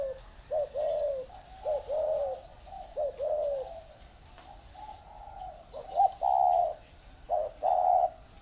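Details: Spotted doves kept in a round bamboo cage and an iron cage coo in uneven bursts of short-long hoots, while high, thin rising chirps from smaller birds sound in the background.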